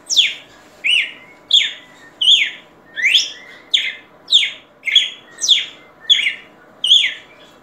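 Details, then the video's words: Red-cowled cardinal song: quick repeated swooping whistles, some rising and some falling, around ten phrases in under eight seconds. "Galo De Campina Cantando"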